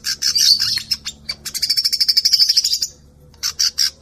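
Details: Canary song combined with cinereous tit and sunbird sounds: buzzy, high chattering notes give way to a long, fast, even trill, then a pause and a few short, sharp bursts.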